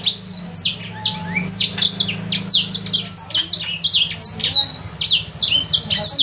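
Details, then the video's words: Sanger bird in captivity for three months, practising song: quick bursts of sharp, high downward-sweeping chirps repeated in tight clusters, with a faint low hum early on. "Burung sanger..belajar bunyi"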